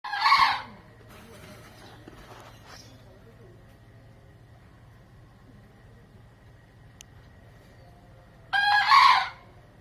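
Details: Snow-white Bekisar, a green junglefowl and chicken hybrid, described as a keen, frequent crower: two short, hoarse crows, one at the start and one near the end, with about eight seconds of quiet and a low steady hum between.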